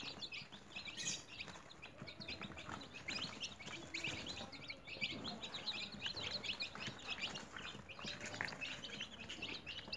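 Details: Caged newly hatched chicks at home, a crowd peeping nonstop for ten seconds: bright, high, short chirps densely packed, volume fairly even, with soft scratching and low rustles beneath.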